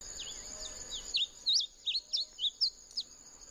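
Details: Bunting song: a run of short, sharp, down-up whistled notes repeated about three to four times a second, high-pitched and fairly loud, over a steady high insect-like whine.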